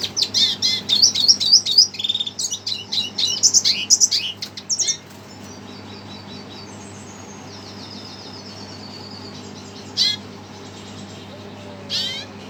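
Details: Red siskin agitated on hearing a played recording: a rapid burst of high twittering and buzzy trills for about five seconds, then near silence with two brief high chirps later.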